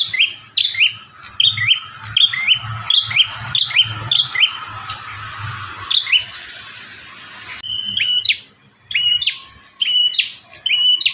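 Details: Bar-winged prinia in lively, persistent song, part of a five-variation master recording for training caged birds: a dense run of crisp, bouncing high chirps, a brief hissy gap, then a second fast chirping burst.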